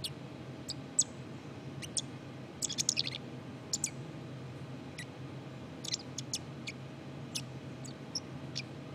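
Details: Black-capped chickadee subsong: a soft, rambling run of short, high chips and thin twittering notes at irregular intervals, bunched around the third second, above a steady low hum.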